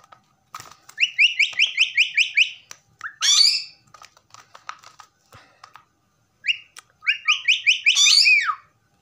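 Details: A pet common myna gives rapid series of short, upslurred whistled notes in quick repetition, broken by a loud harsh screech, then another whistled run ending in a falling slur.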